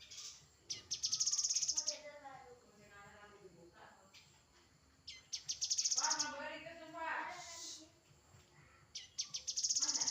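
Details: Song of a grey-headed canary-flycatcher. High, shimmering trills open and close the passage, and a loud cluster of lower, harmonic, warbled notes sits in the middle.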